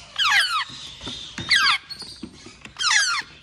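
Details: Young African grey parrot chick uttering three loud, high squeals, each a quick cluster of falling notes, with soft faint sounds between bursts.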